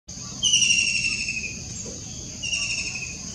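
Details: White-throated Kingfisher, recorded 21 June 2021, giving a shrill, high trilled note held over a second and falling slightly in pitch, then starting again after a short pause; faint low background rumble.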